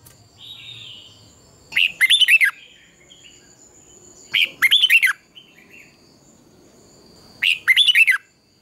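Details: Red-whiskered bulbul lure song for morning training and competitive singing: three short, loud bursts of clipped, bubbling whistled notes, about three seconds apart, with near-quiet gaps and a steady thin high tone between.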